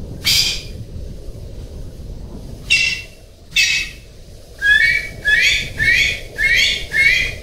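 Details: Golden pheasant making a few separate rasping calls, a silent gap, then five rapid squealing calls that rise at the start and turn gravelly, over constant background noise.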